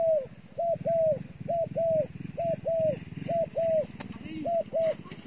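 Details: Decoy dove repeating bright arched coos in short-long pairs, about one pair per second, over a steady low rumble with a faint voice and a click.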